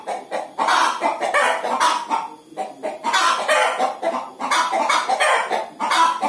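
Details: Egg-laying hens cluck in loud, coarse bursts separated by short gaps. Each bout holds several quick nasal notes that blend into a continuous rough chatter.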